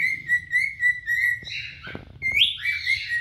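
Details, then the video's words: Two adult cinnamon cockatiels singing and displaying to attract a mate: evenly spaced whistled notes, a short harsh chattering burst, then a sharp rising whistle into busy warbling. "آواز خواندن دوتا عروس هلندی عاشق"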